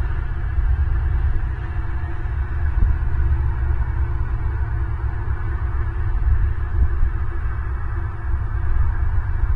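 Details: A constant low electronic hum and drone runs throughout, with no animal calls.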